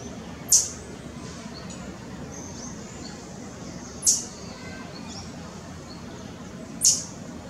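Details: White-barred piculet (Picumnus cirratus) at Parque da Chacrinha, Rio de Janeiro, in August 2018, giving three sharp, very high, thin notes spaced about three seconds apart over quiet background hiss.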